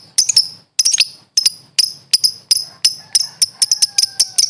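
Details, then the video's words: Lovebird master recording used for training birds: bursts of shrill, sharp chirps, about a dozen clipped high notes over four seconds in quick clusters separated by short pauses, with a faint low rumble beneath. "LOVE BIRD SOUNDS"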